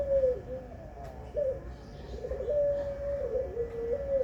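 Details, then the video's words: Zebra dove, pelung type, cooing in a series of low, rolling, wavering notes run together into a long undulating phrase, with steady low hum behind. "Puter pelung"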